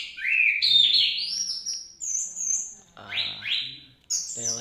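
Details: Orange-headed thrush singing in the teler style: loud whistled phrases sliding upward, a long rising note, then quick sharp downslurred notes and a high trilled ending, with faint low hum beneath.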